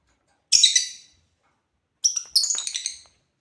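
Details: African lovebirds playing: a burst of scratchy, high chirps, then after a pause a longer chattering run of shrill notes in quick succession.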